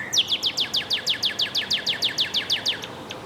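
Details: Northern cardinal singing a fast, even trill of about fifteen sharp downslurred notes in three seconds. The notes sweep from high to mid pitch, with a faint steady hiss behind them.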